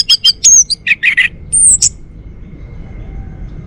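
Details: A male Bali orange-headed thrush (Geokichla citrina), kept at home, sings a quick burst of varied phrases: sharp high whistles, buzzy notes and a bright rising whistle, then stops, leaving faint background hiss.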